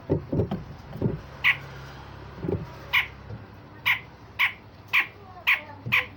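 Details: Grey-cheeked bulbul singing rough rasping phrases and sharp notes, used to train other songbirds: short harsh bursts repeated about twice a second, with low thumps and background hiss.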